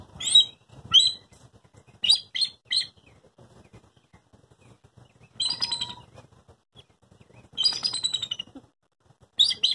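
A bald eagle gives bursts of high, thin, chittering whistles, short stuttering runs of squeaky notes every second or two, with quiet pauses between.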